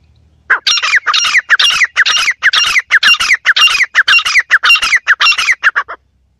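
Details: Partridge giving a rapid, almost continuous series of harsh, scratchy notes, close and loud, that stops abruptly near the end.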